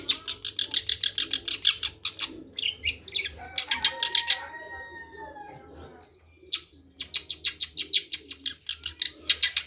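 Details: Long-tailed shrike song: bursts of rapid, harsh, scratchy high notes repeated about five per second. A rooster crows in the middle, and there are softer chatters and a low hum in the background.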